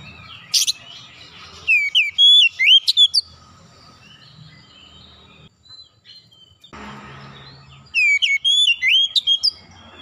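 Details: Oriental magpie-robin (kacer) calling with two rapid series of bright, looping whistled notes, one early and one near the end, plus a brief sharp click and quiet background noise in the gap.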